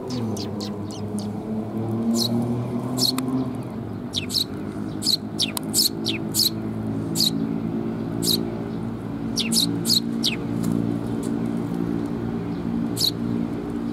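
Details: Sparrows gathering at a feeding platform to be fed, recorded 7 June 2021. Short, sharp high chirps keep coming throughout, irregular and overlapping, over a steady low hum and murmuring background.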